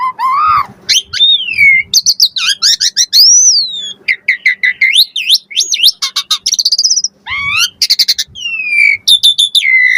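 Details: Asian pied starling singing a varied lure song meant to draw answers: looping slurred whistles, long arched notes, and bursts of rapid clicks and chatters, continuous and loud.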